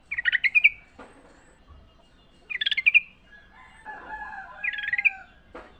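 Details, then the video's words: Sooty-headed bulbul singing in the wild, used to prompt caged birds to sing: three quick bubbly, warbling bursts of rapid notes about two seconds apart, with soft rustling between them. "trucukan gacor ngalas full suara alam"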